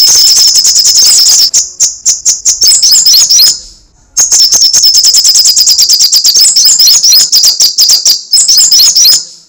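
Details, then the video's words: Long bouts of shrill, rapid ticking with squeaky twitters make up this crecetan chatter of a lively sogok ontong or srigati sunbird, broken by one short pause near the middle. "Suara crecetan burung kolibri sogok ontong /srigati gacor"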